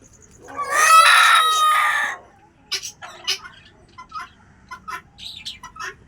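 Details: A helmeted guineafowl kept on a rooftop gives a loud, harsh, drawn-out call, said to be an angry cry often traded back and forth between two birds, followed by short scattered clucks and chirps. Finding: Helmeted guineafowl.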